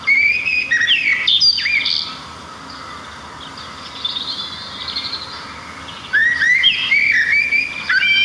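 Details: Small birds chirping outdoors in nature. Quick bursts of high whistled and slurred chirps open and close the recording, with a quieter stretch of soft distant twittering in the middle.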